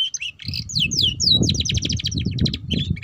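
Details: Ngeriwik-style canary song meant to coax young canaries into singing: slurred upward whistles give way to a rapid rattling trill of repeated high notes, then choppy twitters, with constant low background rumble.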